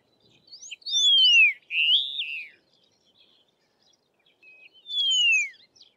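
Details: Karoo Long-billed Lark calling on open plains of the southern Karoo, South Africa: a loud clean whistle sliding downward, followed by a buzzier rising-then-falling phrase, with short rising chips before it; the descending whistle repeats near the end.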